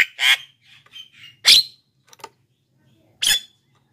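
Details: Black-winged myna song for luring wild birds and prompting reluctant caged mynas: a few loud, harsh squawks spaced irregularly, with soft chattering between them and short silences.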